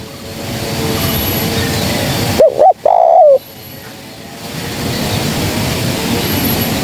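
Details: Female spotted dove calling as a trapping lure: one brief phrase of two clipped coos and a longer wavering coo, surrounded by steady hiss.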